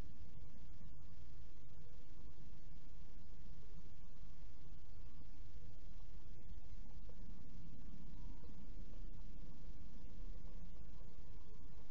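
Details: Only a low, steady hum and faint rustling noise; no animal calls stand out.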